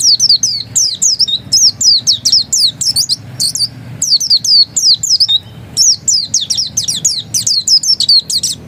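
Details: Oriental white-eye (pleci dakun) giving a ngotot-style song, a dense stream of sharp high chirps and downslurs in several long runs separated by brief gaps.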